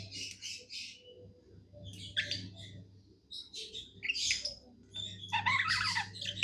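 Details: Happy caged budgerigar giving scattered squeaky chirps and buzzy chatter in short bursts, louder and busier toward the end, over a noticeable low hum.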